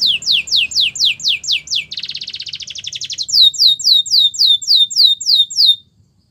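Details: Canary song for training: fast series of downslurred whistled notes, then a buzzy rattling trill for over a second, then more sweeping downslurred notes repeated about four per second before stopping.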